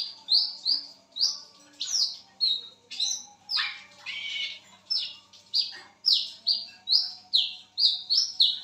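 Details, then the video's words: Wiceh bird calling at midnight: a long, busy sequence of high whistled notes, mostly falling, with a few harsher lower bursts mixed in and a faint background hum. "BURUNG WICEH MEMANGGIL WICEH GACOR TENGAH MALAM"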